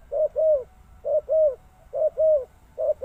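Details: A spotted dove gives its two-note coo three times, short then long and sliding slightly downward, with the start of a fourth pair cut off at the end.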